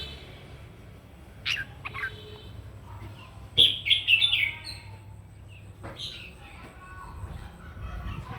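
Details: Red-whiskered bulbul singing its combative morning song for voice training: scattered thin chips, then a loud, rapid run of rich whistled and warbled notes, fading into soft calls over steady low background noise.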